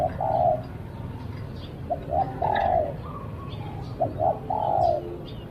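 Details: Decoy spotted dove calling to lure wild doves: three phrases, each two or three short clipped notes leading into a longer, level, husky coo, with a faint rural background.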